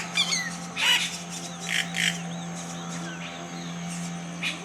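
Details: Yellow-rumped caciques at a colony settlement in Colombia, loud bursts of harsh squawks, liquid gurgles and looping whistled notes overlapping from several birds, over a constant low hum.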